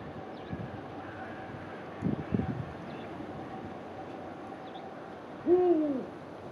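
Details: Captive Eurasian eagle-owl at a wildlife park, Klein Auheim, Germany, 4 March 2016: one deep, two-part hoot near the end, over a steady low hum, a few dull knocks and faint high chirps of small birds.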